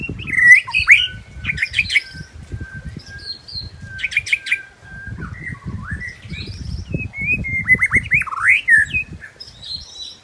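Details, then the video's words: Forest-dwelling wild white-rumped shama gives a long flat whistle, harsh buzzy bursts and later looping whistled slurs, over low rustling or flapping sounds. "Kicauan Murai Batu Merdunya Suara Kicau Burung Liar di hutan"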